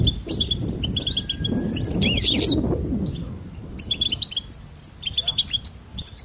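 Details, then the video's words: Goldfinch song of quick high chirps and twittered trills in short phrases, with a louder, sweeping, rougher passage in the middle, over steady low background noise. "Goldfinch Singing and Song Compilation"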